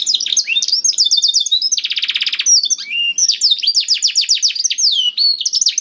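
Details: Canary song to get a quiet canary singing: quick high chips, a dense buzzy rattle lasting under a second, then rapid whistled downslurs repeated in runs.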